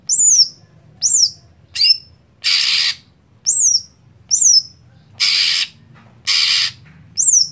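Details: Contest greater green leafbird, readied for a slow-starting bird, alternates bright high downslurred whistles with long harsh scratchy rasps, roughly one note per second.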